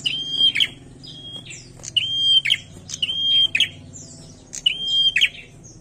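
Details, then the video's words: Lively song of a bar-winged prinia: about five bright phrases, each a flat sustained whistle closing in a raspy buzz, spaced roughly every second, with faint low hum beneath. "PRENJAK GACOR MANTAP BETUL"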